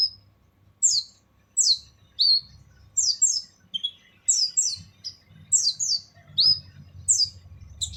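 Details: Harsh-voiced kolibri ninja sunbird used as a training recording for other songbirds: abrupt, piercing high chirps, many in doubled pairs, repeated roughly every half second to second against near silence.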